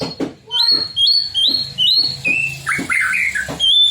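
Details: .White-rumped shama song meant to provoke other shamas into singing: a relaxed series of clear whistled notes, many sliding upward, delivered in quick succession with short pauses, ending in a lower warbled phrase and a final high whistle.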